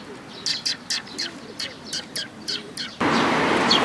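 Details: Sparrows at a Tenmangu shrine on 5 May 2022 giving a quick run of sharp repeated chirps, about two each second, before a loud broadband noise cuts in.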